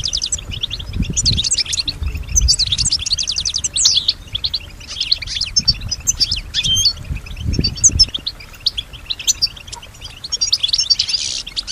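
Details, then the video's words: Kept European goldfinch singing, said to imitate surrounding sounds such as other birds and human voices; dense, high tinkling twitter of rapid trills and chirps running throughout, with low thumping knocks in the background. "Solutions to keep your goldfinch healthy and singing with strong stimulation"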